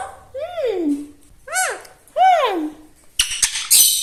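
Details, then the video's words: Pet talking parrot producing three arching, nasal, voice-like calls that rise then fall, followed by loud clicks and a brief scratchy squawk indoors. "Talking parrot"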